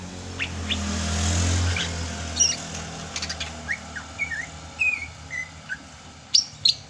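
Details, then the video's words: Sumatran Greater green leafbird singing in the rainy season: scattered short whistled slurs and chirps, some rising, some falling, spaced irregularly, with a low rumble of passing traffic early on. "MUSIM HUJAN CUCAK HIJAU SUMATRA MASIH BISA GACOR"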